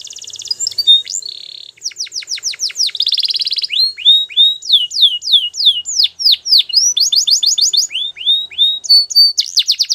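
Belgian canary singing a high, continuous song of rapid trills and repeated down-slurred notes, changing phrase every second or so; nothing else is heard.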